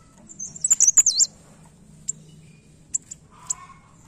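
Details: A blerengan bird, newly kept and already singing, gives a quick burst of very high, squeaky twittering, then a few single sharp high chips about a second apart over a low background hum.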